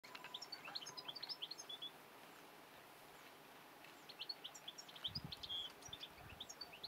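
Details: European goldfinch singing: quick bursts of thin, high twittering chirps and tinkling notes, a pause in the middle, then more rapid jangling phrases over steady background hiss, with a low thump near the end.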